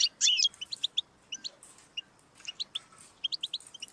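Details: European goldfinch song: a loud, buzzy, wheezing burst at the start, then a pause and scattered liquid twitters that pick up into a run of quick chirps. Recorded to prompt a pet goldfinch into song.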